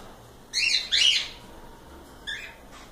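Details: A pair of loud, raspy cockatiel squawks in quick succession, followed after a pause by one fainter, shorter chirp.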